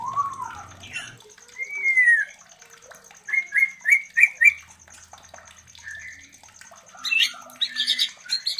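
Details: Mating call of a white-rumped shama, played to stimulate other shamas to breed: clear rising and falling whistles, then a run of short repeated whistled notes, ending with scratchy high chatter.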